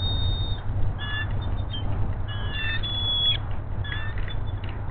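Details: Female bald eagle at a Hays nest, filmed by a nest camera on February 21, calling excitedly as the male delivers a fish: high, thin whistled notes and short sliding phrases over constant low wind rumble.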